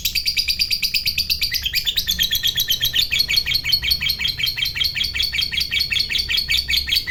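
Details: Captive lovebird fighter in full long ngekek chatter, valued by hobbyists for stirring up other lovebirds. A continuous run of quick, shrill notes shifts slightly in pitch partway through and never pauses.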